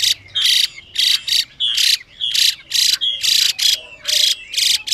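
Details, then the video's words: A female Chinese hwamei makes harsh, hissing rasps to excite a caged male into song. Thick buzzy bursts come in pairs and singles, with faint whistled slurs between them. "Họa Mi Mái Kích Trống Nhanh Căng Lửa, Họa Mi Mái Xùy Kèm Họa Mi Trống Hót Kích"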